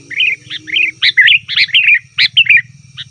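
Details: Sooty-headed bulbul in a rowdy calling bout used as a lure for wild forest bulbuls and to prompt caged birds to reply; lively, continuous chatter of quick rising-falling bubbly notes, almost without pause, over a faint low hum.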